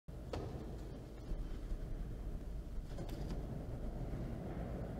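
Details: Outdoors in Orange, New South Wales, low rumbling wind and handling noise with a few brief broadband knocks, and no animal calls.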